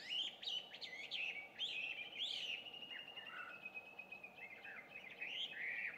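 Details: Dawn song of an introduced Chinese hwamei, 2 June 2019 at 5:30, heard from some distance. Bursts of quick, bright whistled notes alternate with smoother sustained phrases over a low steady hum.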